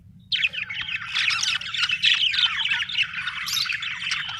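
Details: Budgerigars from Australia chirping: a dense, continuous chatter of warbling, squeaky notes and short squawks, several birds overlapping with no pauses, over a faint low hum.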